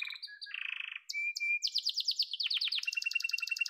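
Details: Short yellow canary phrase: a few chirps and a low buzzy roll, a pure whistle, then crisp staccato notes speeding into a high rattling trill.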